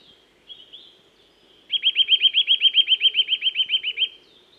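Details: Eurasian nuthatch singing in woodland: after a few thin whistles, a fast rattling trill of about eighteen clear upslurred notes delivered evenly over roughly two and a half seconds, high-pitched and bright, with a faint low hum beneath.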